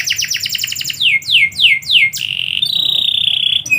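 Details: Canary singing at midday: rapid buzzy trills, then a series of descending swooping whistles, ending in a long steady high rolling trill; faint low hum underneath.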